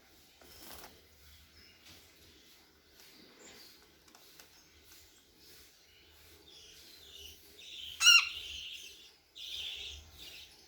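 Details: A home-bred cockatiel gives a mix of soft chirps, then a sharp screechy call and harsh chatter.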